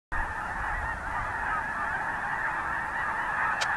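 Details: Winter flock of snow geese on the Richmond marsh, Vancouver, BC, Canada, on 25 December 2018: a dense, unbroken chorus of many overlapping nasal honks forming a steady wall of sound, with one brief sharp click near the end.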